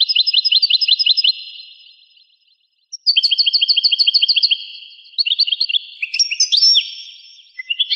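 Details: In this rare 1985 recording a European goldfinch sings rapid series of repeated tinkling notes, pauses briefly, repeats the fast series, then breaks into varied swooping twitters and whistles.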